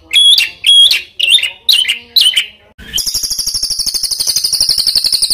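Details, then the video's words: Master song for tutoring competition birds: five loud slurred whistles rising and falling, a short pause, then a long, even, very high rattling trill. "SUARA BURUNG MASTERAN BURUNG LOMBA"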